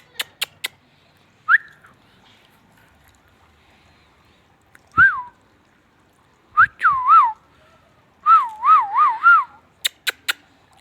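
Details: Ringneck parrot giving a few clear whistled notes that rise and fall, ending in a quick wavering run of four looping whistles, with sharp clicks at the start and end and quiet pauses between.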